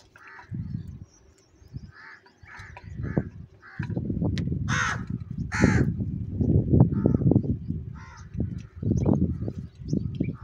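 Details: Crows quarrelling over cheese and salty food: a run of short harsh caws, a louder raspy outburst near the middle, then more caws, above heavy low rumbling and knocking.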